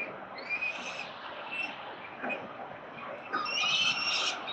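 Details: Peregrine falcons at their nest on a city building in Melbourne, Australia, on 13 November 2022: thin drawn wails early, then a louder burst of screechy, rasping calls near the end, over constant urban noise.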